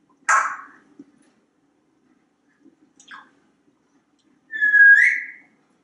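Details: A pet African Grey Parrot in a Texas home, perched on a kitchen faucet, gives a sharp squawk, a faint short chirp, then a clear whistled note that bends upward, with quiet room between sounds.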